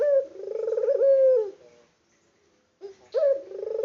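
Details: Vocal local turtle dove coos in an unedited recording: a rolling, pulsed purr that ends with a falling note, then a short pause and a second coo beginning.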